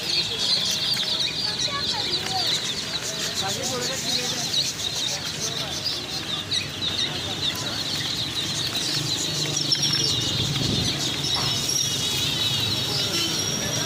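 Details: Chicks chirping in a group where new chicks and birds are being bought: constant shrill, overlapping peeps in quick succession, with human voices talking over them in places.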